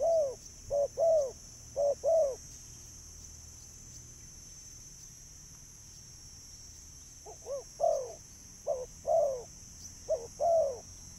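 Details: Spotted dove coos, used to call in birds: low hollow paired notes, a short note then a longer one that arches down. Four pairs come early, a pause of about five seconds follows, then more pairs. A steady high whine runs throughout.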